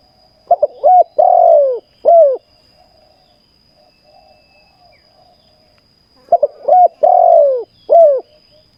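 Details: Caged decoy spotted dove singing during ground trapping: two identical cooing phrases about six seconds apart, each of two or three short stuttered notes followed by a long falling coo and one shorter closing coo.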